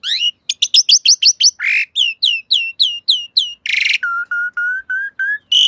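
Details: Master song of the jalak suren (Asian pied starling) for training caged birds. Rapid stacked chirps and a harsh note lead into a run of curving whistles, a harsh burst, then a series of level low whistles.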